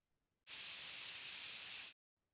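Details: A Yellow Warbler gives a single very short, high, buzzy zip-type flight call, relatively loud and even from beginning to end, over a steady background hiss.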